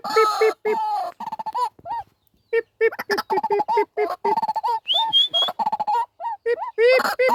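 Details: A pet (captive) White-breasted waterhen gives rapid, hoarse, nasal notes in quick bursts, several per second, with one thin high whistle partway through; the call is said to draw in wild waterhens.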